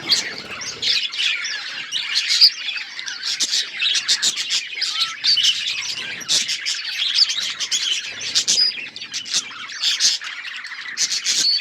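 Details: Budgies sustain a lively colony chatter of rapid high chirps, scratchy warbles and sharp clicks, overlapping without pause for the whole stretch.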